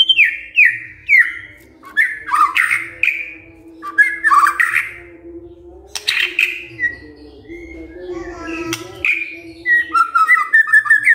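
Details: White-rumped shama in vigorous song, answering at once: a series of falling whistled notes, then harsher squawking phrases and varied whistles, over a constant low hum.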